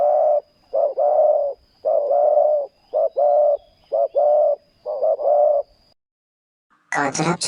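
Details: Spotted dove cooing loudly during ground-luring with a decoy bird: a run of short and long low coos paired in quick succession. A faint hum is heard, then a pause and a sudden loud rustling burst near the end.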